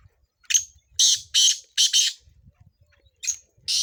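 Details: Black francolin (kala tetar) from Sindh, recorded as training calls for chakree: harsh, rasping high bursts in a quick phrase of about five notes, a pause, then two more grating notes.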